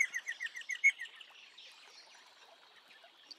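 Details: Eastern rosella calling: a quick run of about nine bright, slightly falling notes, evenly spaced and ending within a second, followed by a soft, faint rustle of background sound.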